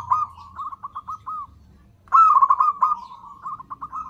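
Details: Lure recording of a zebra dove to attract others of its kind, two phrases of bubbling, stuttered coos at an even pitch, the second louder and longer after a brief silence.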